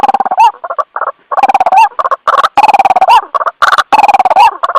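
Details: White-breasted waterhen calling to its companions on a lure recording: loud, harsh bursts of rapid pulses, each phrase ending in a short upward-flicked note, repeated in quick groups with brief gaps.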